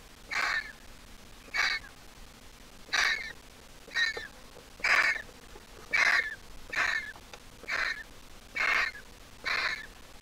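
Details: A fully grown Griffon vulture nestling, zoo-origin, hatched 20 April 2023 and placed in a wild nest, still a squeaker, gives about ten harsh, wheezy squeaks at an uneven pace, roughly one a second, over faint hiss.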